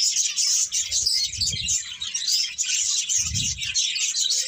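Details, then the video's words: Continuous high-pitched chirping from numerous birds forming a thick chorus, with two soft low thumps or rustles breaking in underneath. "Cute Birds Chirping Sounds"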